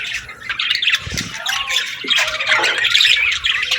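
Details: Morning chirping of parakeets, several birds chattering at once: busy overlapping scratchy warbles and short squawks building steadily louder, with a few low knocks underneath.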